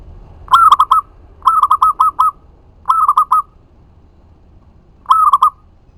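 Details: Lively local zebra dove singing to provoke replies from other doves; four phrases of rolling coos, one long run of about six quick notes, others shorter, loud and clear over faint rumble.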